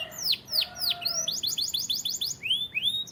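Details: White canary singing a varied melody: steep downward-sweeping whistles, then a fast run of short repeated notes, ending with rising slurred notes, all high-pitched and clear.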